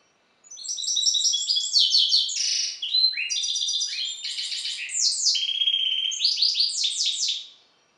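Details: Balkan goldfinch hybrid, a captive European goldfinch cross, gives a long energetic song of quick metallic twitters, buzzing trills and downward-sweeping notes lasting nearly seven seconds in quiet surroundings.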